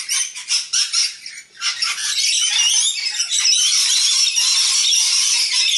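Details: Juvenile rainbow lorikeets in a group squabbling over food; opens with a series of short harsh screeches in quick bursts, then merges into a steady overlapping chorus of raspy squawks.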